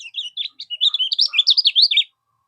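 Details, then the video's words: Common iora song used as a tutor recording for competition birds: accelerating series of bright whistles and slurred chips, ending in loud rapid up-and-down notes, then silence. "Masteran berbagai macam burung , bisa gunakan kecial kuning mol ini"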